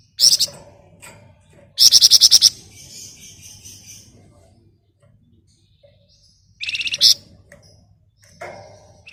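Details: Flamboyan bird in ngebren rapat, nyerecet style, delivering a loud rattle of rapid, even high pulses, then a pause before a shorter stuttering burst and a final thin note.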